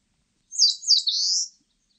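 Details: High-pitched Eastern crowned warbler song: two slurred descending notes followed by a drawn-out buzzy rising phrase, about one second long, in silence otherwise.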